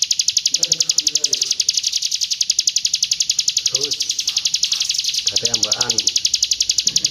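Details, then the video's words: East Javan hill prinia in roll tembak style, pouring out an unbroken rapid train of high, piercing notes at an even pace while people talk quietly in the background. "PRENJAK GUNUNG ROLL TEMBAK"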